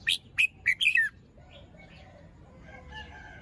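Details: Red-whiskered bulbul, morning, plumage fluffed and not fully moulted, crest still developing, sings a fast phrase of four clear, slurred whistles in the first second, followed by faint distant chirps and low background noise.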